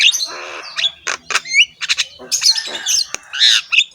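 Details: Harsh-voiced Javan myna in steady full song, head-bobbing: a jumble of gravelly squawks, nasal buzzes and quick whistled upslurs, alternating loud rasps with softer chatter.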